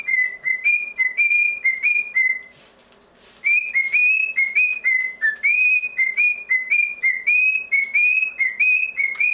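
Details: Pet cockatiel singing during bath time after a late breakfast whistles a quick, repeated tune of clear notes that step up and down in a steady rhythm.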